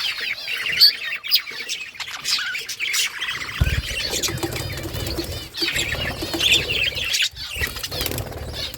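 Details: Several budgerigars warbling together in high twittering phrases, with a flutter of wings and low rumbling beneath the chatter.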